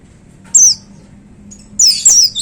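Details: Caged white-eye singing in the lively 'tembakan' (shooting) style: a high, thin, descending whistled note, then after a pause a longer burst of two or three sharp, slurred high notes over a quiet low hum.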